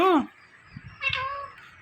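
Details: Indian ringneck talking parrot producing an arched, rising-falling voiced syllable, followed after a short gap by a drawn-out, nasal word-like phrase, indoors with faint background knocks.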